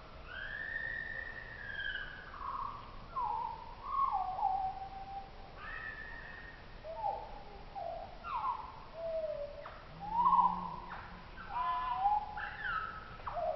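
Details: Common blackbird song recorded in Oslo and played back two octaves lower: slow, fluting whistled phrases glide down and curl upward, separated by short pauses, over a faint steady background hiss.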